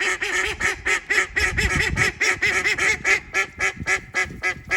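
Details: Female call duck kept as a pet at a school in Saitama, Japan: a loud, rapid series of harsh nasal quacks, about four per second, steady and insistent throughout.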